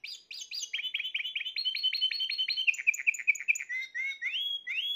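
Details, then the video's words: Spanish Timbrado canary from the 2020 birds singing fast metallic rolled trills, a steady run of repeated notes that drops lower, then ends in rising whistled slurs. "تغريد طائر تيمبرادو"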